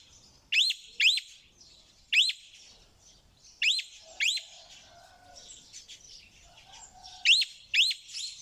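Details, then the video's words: Parrot making quick pairs of harsh, rising squawks in irregular bursts, about eight calls in total, with a continuous chorus of thin chirps around them. "เสียงนกแก้ว.Suab yeeb kub(leeb nkaub)"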